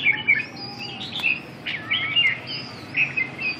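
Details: Red-whiskered bulbul with red eye-rims, dancing on its perch: bright whistled phrases, short rising and falling notes in quick bursts with brief pauses, clear over a quiet background.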